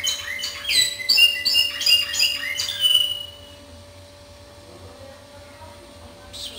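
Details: Timbrado canary singing in the discontinuous style: about three seconds of rapid metallic trills and rolling notes, then the song stops and only a steady electrical hum and quiet room noise remain.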